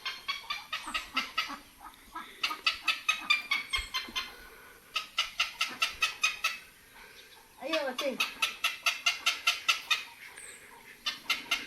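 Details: Heron giving its mating call in the Philippines: harsh, clipped notes repeated rapidly, about two per second, in long bursts with brief pauses between series.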